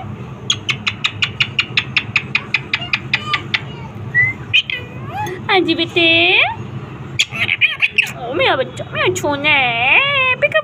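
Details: Pet talking parrot on a roof, chatting with its owner: a quick run of about fifteen evenly spaced sharp clicks, then squeaky, speech-like utterances with bending, wavering tones and short gaps, loud and close.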